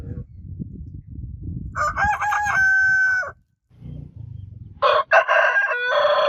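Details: Two rooster crows over low background rumble: the first rises into a long, steady, ringing held note, and a second harsh crow begins a few seconds later. Faint clucking noises fall between them.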